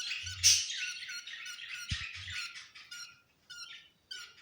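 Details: Budgerigars calling around egg hatching: a burst of scratchy squawks and twittering chirps that thins out, then a short gap before a final call, with a soft thump in the middle.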